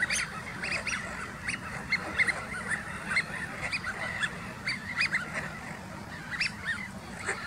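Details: A gathering flock of Eurasian wigeon keeps up a busy chorus of short, high whistled calls, several each second, overlapping against a low steady rumble.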